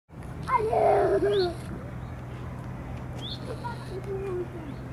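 A loud, nasal, squawking call bursts out at the start, followed by fainter, drawn-out notes over a steady low hum and possible voices.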